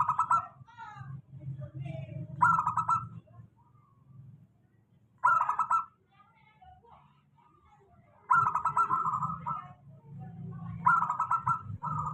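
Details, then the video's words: Steady lure song from a local zebra dove, used to encourage doves that sing little. Bursts of rapid trilled coos come in clusters with long quiet gaps between. A low hum underlies the louder stretches. "suara pancingan perkutut lokal. suara stabil cocok utk perkutut malas bunyi"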